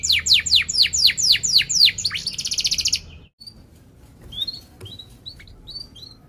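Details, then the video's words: Sharp-rolling canary song used as a lure for young canaries: about ten loud falling whistles repeated quickly, a short buzzy trill, then near silence with a few faint, thin chirps. "Kenari Gacor Cuit cuit NgeroL TAJAM | untuk Pancingan kenari Paud belajar Bunyi & kenari MACET BUNYI"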